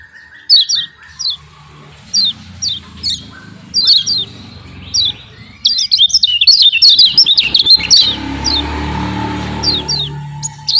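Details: A champion Javan white-eye (kecial kuning) sings as a lure meant to provoke reluctant white-eyes. Spaced, high, down-slurred chirps build into a fast, tumbling twitter, then ease back to single chirps.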